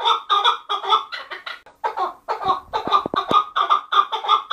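Chukar partridge giving harsh, rhythmic clucking notes, about two or three per second in a steady chuck-chuck series, with a few sharp clicks midway.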